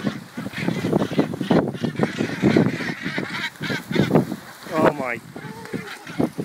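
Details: Many northern gannets feed in a frenzy alongside common dolphins at sea north of Coll, giving a constant chorus of harsh, rasping, overlapping croaks, with a person's excited voice breaking in.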